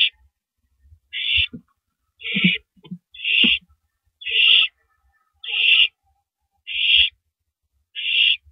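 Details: Recorded at 3:33 AM on April 9, 2012 as an owl tears up and swallows a large rabbit; eight raspy hissing screeches about one second apart, with sharp tearing and thudding sounds early on.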